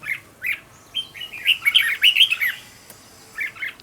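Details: Song of a red-whiskered bulbul used to train a decoy bulbul; short chirps lead into a fast, tumbling phrase of clear whistled notes lasting about a second and a half, followed by a few brief chirps.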